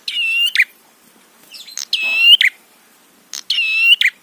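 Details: A prinia call played to provoke other prinias. Three loud, nasal buzzing notes, each closed by a snapping click, with a quieter chatter between the first and second.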